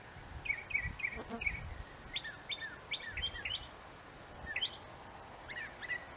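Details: A Northern Mockingbird singing in an apple tree gives bright, chirpy phrases, each repeated two or three times before switching to a new one, over faint background hiss.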